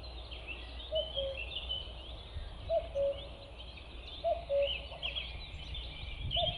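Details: A common cuckoo gives its falling two-note cu-coo call about every one and a half seconds, over busy higher songbird chatter and a low background rumble. Common cuckoo.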